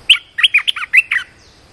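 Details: Red-whiskered bulbul serving as a decoy for a wild bird gives a clear, quick phrase of seven or so bright, bubbling warbled notes, each bending up and down, with quiet background.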